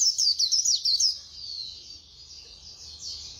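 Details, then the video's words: Brief burst of fast, very high twittering from a white-eye in 'líu' song, then only faint high warbling remains. "Khuyên Líu Hay _ Mau Mỏ _Tốc Độ _Tiếng chim Khuyên Líu"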